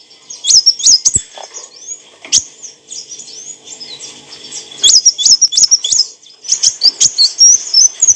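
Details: Olive-backed sunbird, used as training material for cage birds, producing quick high chips and short scratchy twitters in scattered bursts, louder clusters near the start and end.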